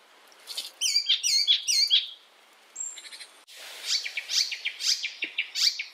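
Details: Icterine warbler, said to be originally from Europe, singing for songbird training: repeated whistled notes in quick runs, a thin high tone, then a fast series of sharp chirping notes with varied pitch.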